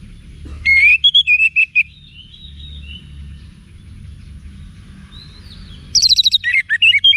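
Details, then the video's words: Orange-headed thrush song played for training cage birds, from northern Bali, Singaraja: loud whistled phrases with sliding notes and rapid chirps in two bursts separated by a quiet gap with faint distant whistles. "ANIS MERAH Manapun Bakal Nyaut Berani Untuk Figther Saat Didengarkan Kicauan Wiksar Ini"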